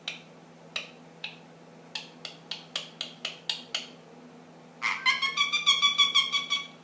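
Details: Captive ring-necked parakeet, ten months old, doing funny noises: a series of dry, sharp clicks roughly every quarter second, followed by a fast, buzzy, rattling trill of rapid repeated notes.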